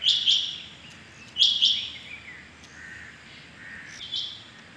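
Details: Morning calls of a rain quail on 6.7.21, locally chingy bateer: two crisp doubled whistles a second apart, followed by fainter, lower chirps and a last softer pair.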